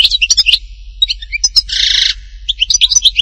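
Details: High, quick European goldfinch song recorded at Htatba in Tipaza: sharp tinkling chirps and short slurs, broken mid-phrase by a harsh buzzy rasp, then more rapid twittering.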